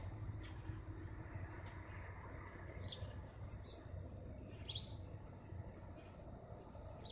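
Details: Red-eyed vireo singing in Hooks Woods, Galveston County: a few short, slurred, downward-sweeping phrases spaced about a second apart, set against a steady, high, pulsing insect drone and low background rumble.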